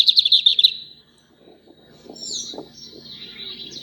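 A lined seedeater opens with a quick, bright, high trill of rapid notes, then softer high twittering continues over faint low background noise.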